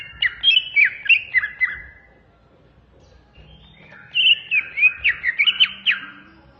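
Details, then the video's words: Indonesian greater green leafbird singing in a tutor recording: two rapid runs of sharp, twisting whistled notes, about eight notes each, separated by a two-second quiet gap. "suara burung cucak ijo masteran"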